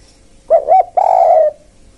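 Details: Spotted dove lure call for attracting wild birds, a pair of brief hollow coos leading into one long sustained coo that fades out.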